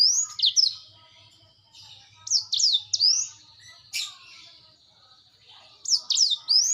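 Black-throated canary singing in bursts of high, sweet, sharply falling whistled notes, with quiet pauses between phrases.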